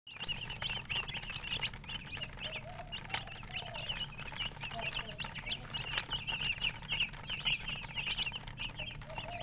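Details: Chickens with a colored hen: many high, thin peeps chirp continuously over a steady low hum, with a few lower clucking notes in the middle.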